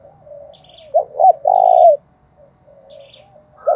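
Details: A decoy spotted dove calls: soft low coos lead into a loud phrase of two short notes and a long, slightly falling coo, then quieter cooing and the start of another phrase.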